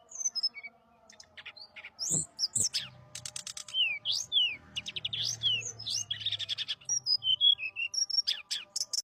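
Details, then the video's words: A bird singing busily, described as 'gacor'. Varied high phrases of steep whistled slurs alternate with rapid stuttering chirp bursts and short level whistles, nearly continuous over nine seconds. A low background hum and a couple of thumps are also heard. "burung srdc gacor"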